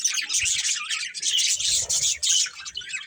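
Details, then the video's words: A family of budgerigars chatters loudly in an unbroken high warble, with overlapping chirps and squeaky notes throughout. "Cute Budgies Chirping Sounds"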